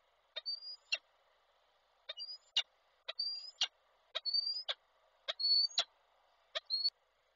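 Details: Peregrine falcon male calling his mate as he brings prey, Koszalin, Poland, 16 February 2024: loud paired sharp clicks each framing a drawn-out high whistled note, repeated about once a second.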